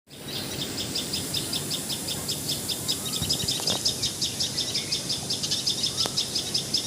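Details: Common tailorbird, known in Assamese as patxhia sorai or tiposi sorai, calling in Assam, India: a fast, steady series of sharp, high chipping notes, about two to three per second, over low background rumble with a couple of brief knocks.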